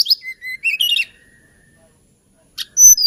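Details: Hill blue flycatcher delivering a short lilting phrase of clear whistles, some held and some warbled, then a pause before high notes resume.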